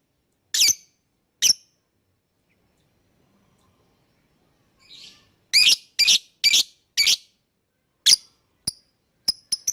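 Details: Lovebird calls meant to make other birds sing along: two sharp chirps, a quiet gap, then a quick run of shrill chirps and thinner high ticking notes toward the end.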